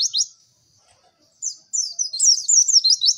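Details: White-eye training song: a short high chirp, a pause, then a rising rush of quick, bright twittering notes tumbling into a dense warble.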